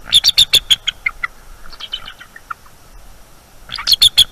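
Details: Nest-defending eagles at night on 23 October 2021, alarmed by an owl intruder: a rapid string of piercing, high chipping notes, softer falling notes in between, and then another fast loud burst.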